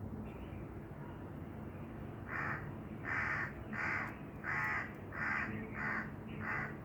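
A black francolin gives a run of about seven harsh, grating notes in quick succession over a steady low rumble of background noise.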